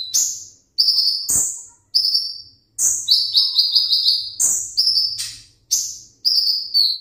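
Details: A captive sunbird in full song, meant for a singing contest, gives bright, high-pitched bursts of rapid twittering and sharp chirps, about one phrase every second, with brief pauses between.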